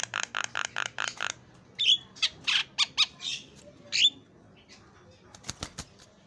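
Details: Javan myna, an actively singing bird, giving isian (filler) song: a run of six even, rapid buzzy notes, then loud harsh squawks with shrill overtones, a few sharp clicks near the end.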